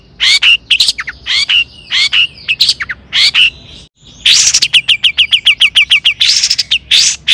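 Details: Lure recording of long-tailed shrike song meant to raise other shrikes' excitement. Harsh bursts and downslurred notes lead to a brief pause. A rapid chattering run of clipped high notes follows, then more rasping bursts.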